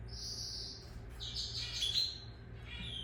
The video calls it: Lizard Canary sings تغريد كناري السحلية